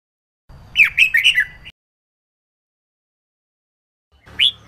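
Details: Red-whiskered bulbul, female sound used to prompt males to sing: a fast burst of four slurred chirping notes over a low hum, a long pause, then one rising whistle.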